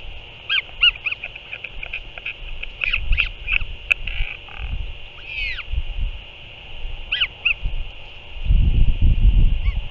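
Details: Returning parent feeding a Northern royal albatross chick, 6 April 2024: quick, irregular series of short, high, sharply arched chirps, several per second, with a few longer swoops, over constant hiss and a gust of wind near the end.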